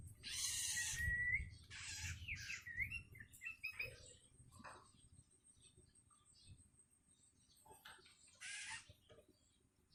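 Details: Hungry long-tailed shrike chick calling its parent and practising its voice: loud harsh screeches mixed with short whistled slurred notes, then a quieter stretch and one more raspy burst near the end.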